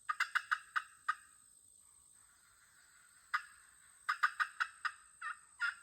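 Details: Hens from the neighbourhood clucking, an opening rapid series of five bright notes, a soft murmuring stretch, then a second lively run of clucks ending in two longer, drawn calls.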